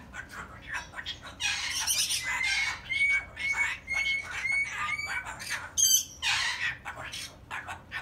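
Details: Pet cockatoo chattering as if telling a story: bursts of harsh, speech-like squawks with a run of clear whistled tones in the middle, then more raspy babble toward the end.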